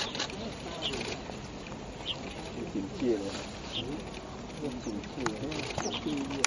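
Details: Swan goose calling at Tianliaoyang, Yilan, Taiwan: low, nasal, harmonic honks and short warbling notes overlapping from several birds against steady background hiss, with a few higher chirps and clicks scattered through.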